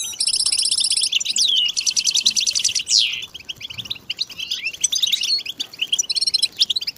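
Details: European goldfinches singing together with mating calls meant to stir silent males; high buzzy trills, a clear downward sweep, then continuous overlapping twitters and chirps from multiple birds.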